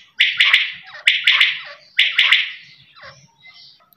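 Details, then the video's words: A quail gives harsh, raspy notes in quick groups of two or three, with a new group about every second, then fainter chirps. "Voice of quail's"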